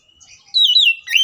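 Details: Oriental magpie-robin giving an agitated fighting song, used as a lure to provoke other magpie-robins into singing; a short, loud whistled phrase that slides down and then rises sharply at the end.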